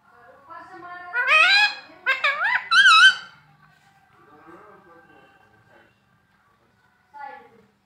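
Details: Talking parrot repeating words such as mummy and papa: three loud, squeaky rising-and-falling syllables, then quiet mumbling and one short final squeak.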